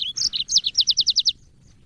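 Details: Yellow-fronted canary, recorded as training song for cage birds: a short, bright phrase of about ten high, clear notes repeated quickly and evenly, then silence.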